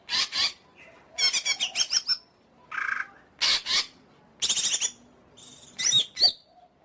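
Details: Greater green leafbird delivering a varied song that mixes harsh, squawky bursts, fast stuttering series and a few sharper whistled notes, all spaced by brief pauses.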